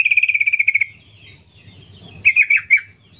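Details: Female sooty-headed bulbul calling to males: a rapid run of about ten short, slightly descending chirps in the first second, then a pause and a shorter burst of three or four harsher notes, with a low hum underneath.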